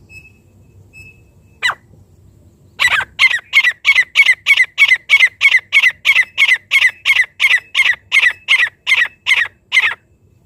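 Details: A francolin calling sound, used to lure francolins in: a long run of harsh, grating notes, about three per second and evenly spaced, after a brief thin whistle and a single sharp note.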